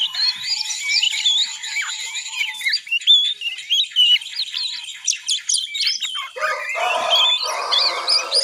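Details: Juvenile oriental magpie-robin learning to sing in the ngiriwik style: a rambling, unbroken stream of high squeaky twitters and quick slurred notes, turning rougher and more scratchy for the last two seconds.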